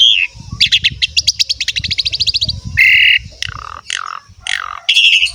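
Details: Loud, lively song of an Asian pied starling, used to prompt young male and female birds to start singing. It opens with a rapid train of about twenty clicking, rattling notes, then breaks into loud, harsh whistles and slurred descending squawks.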